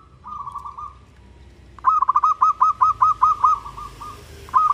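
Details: Local zebra dove in Indonesia singing vigorously so that other doves respond: a soft rolling trill opens, then a long loud run of about a dozen bouncing coo notes. A fresh phrase starts at the close amid light background noise.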